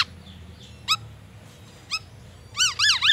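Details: Caged black-naped oriole singing copied white-rumped shama phrases during morning care: two isolated sharp descending notes, then a loud burst of rapid up-and-down chevron whistles at the end.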